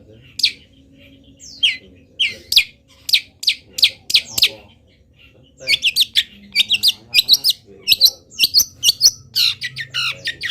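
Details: Long-tailed shrike of local stock singing a song packed with copied calls of wild birds while in moult: sparse high chirps at first, then dense rapid runs of bright, buzzy, varied notes, with a low background hum.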